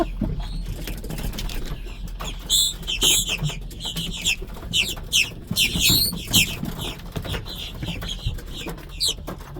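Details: Giant flock of blackbirds feeding in a Buc-ee's parking lot in Brunswick, Georgia, on March 3, 2026, lifting off in waves; dense overlapping squeaky, buzzy chatter in bursts, with a low traffic rumble beneath.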